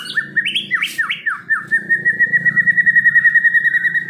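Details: Medan-type white-rumped shama kept for song contests gives a few rising whistled notes, then a long, even, rapid trill held on one pitch, with low indoor hum behind.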